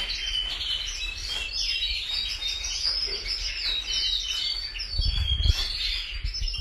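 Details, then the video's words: Several canaries singing together in a dense, continuous chorus of high chirps, trills and rapid twittering phrases, with a brief low thump near the five-second mark. "Canaries Singing | Canary Chirping sounds | Kanarienvogel Gesang"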